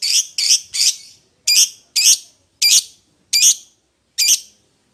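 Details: Lovebird calling out to its companion, also used as a lure to call a rival: eight sharp, harsh high chirps in two bursts, the first three quick, then five spaced about every 0.7 seconds, with clean silence between.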